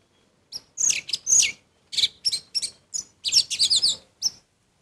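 Orange-headed thrush singing a rapid run of high, sweet, varied phrases in short bursts, with quick trills and slurred whistles and no other sounds.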